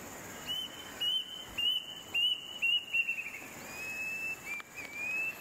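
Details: A male Plaintive Cuckoo (Cacomantis merulinus) in Malaysia calls loud from nearby: a run of high, clear whistled notes that quicken and drop slightly in pitch, then drawn-out whistles rising at the end; faint background hiss.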